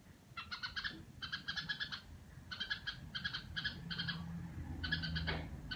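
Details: Household red-whiskered bulbul chattering in short harsh bursts of buzzy notes separated by brief gaps, with a low hum and faint background noise.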